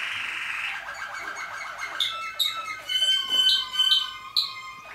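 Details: Malinois Waterslager canary singing. It opens with quick, low, gurgling rolled pulses, then moves into clear sustained whistles and bright high notes that swell and fade.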